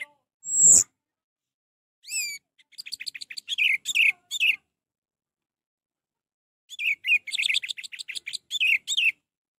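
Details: Orange-headed thrush singing, used to prompt a caged bird that is not singing: one sharp high note, then a pause, then two bursts of quick chirping and trilled whistles separated by a few seconds of silence.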